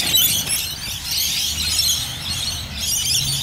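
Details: In Bonnyrigg, Rainbow lorikeets keep up a hissing, high-pitched chatter and screeching over a low rumble like passing traffic.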